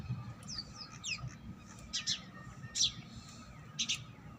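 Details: Wild ringneck parakeets visiting a home, giving short harsh screechy chirps in bursts of two or three, with faint low rumble and a steady hum behind.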